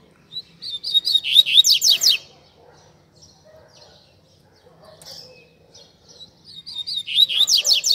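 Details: Double-collared seedeater in captivity giving tui tui zel zel song for tutoring young birds: a run of repeated high chips accelerating into loud buzzy downslurred notes, a quiet gap with faint murmurs, then the phrase starting again.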